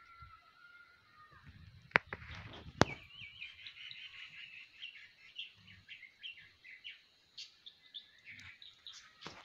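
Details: Shrike gives a steady high whistled note, then a rapid, scratchy chattering series of short notes, with two sharp clicks near the start and faint background noise.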